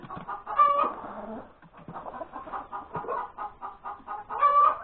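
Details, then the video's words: Laying hen cackling on the morning of Sunday, January 31, 2021: a loud drawn squawk, a dense run of clucks over a busy background, then a second stretched squawk at the end. "the crowing of the hen that lays the egg"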